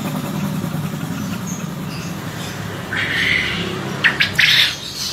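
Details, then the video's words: Male contest quail's ceketer call: a scratchy burst, then a quick cluster of sharp chattering notes over a constant low background rumble. "SUARA GRANDONG, PUYUH JANTAN JUARA CEKETERNYA MANTAP"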